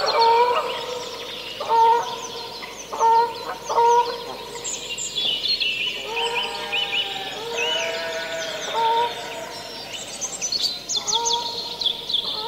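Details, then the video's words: Canada geese give loud, nasal territorial honks in bursts of one to three with heavy echo, while a nearby robin sings high, thin phrases throughout. "Canada Goose. MCU Territorial Calls. A Lot Of Echo."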